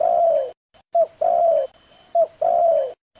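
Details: A spotted dove, presented as a lure call, coos in low, hollow notes: a short note followed by a longer drawn-out coo, twice over in about three seconds.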